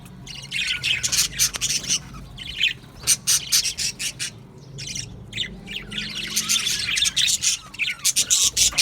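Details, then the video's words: Budgie colony singing and chirping in an aviary, Australian birds: bursts of harsh, buzzy warbling and squawky chirps from many birds, rising and falling in waves with short lulls between. "Australian Budgies Singing and chirping sounds"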